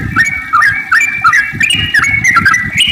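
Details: Sooty-headed bulbul singing a rapid run of song, a lure for prompting other bulbuls: loud clear whistled phrases, each dipping and rising, repeated about every half second.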